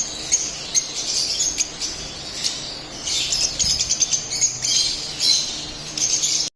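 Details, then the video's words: Split albino lovebirds singing and chirping: high, scratchy chirps and squeaky twitters in irregular bursts, several birds overlapping, over a steady background hiss. "Split Albino Love Birds Singing and Chirping sounds"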